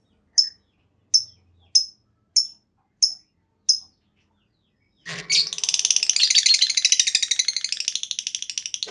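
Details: Lovebird singing to get other lovebirds going: six sharp high chirps spaced under a second apart, then a sudden loud, dense, buzzy trill running on continuously.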